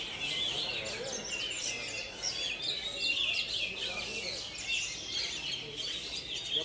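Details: Kacer (Oriental magpie-robin) song duel among three birds: busy, overlapping bursts of bright whistled and scratchy chattering notes, swelling and fading repeatedly, with continuous low background hum.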